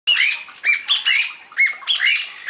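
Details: Chinese bamboo partridge (Bambusicola thoracica) calling loudly: harsh, squawking notes, each sweeping sharply up then dropping, in about seven rapid bursts over under three seconds, with a clean quiet background.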